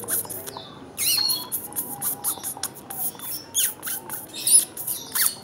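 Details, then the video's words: Hand-fed ten-day-old red siskin nestling squeaking insistently, dense high chirps and short rising squeals packed together, loudest near the start and around the middle, with faint rustling behind. "Ngelolohin Red Siskin umur 10hr"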